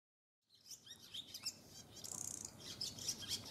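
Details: Male barn swallow wintering in a cold region, singing to lure a female to the nest in February: quick high twittering chirps, then a fast dry rattling buzz near the middle.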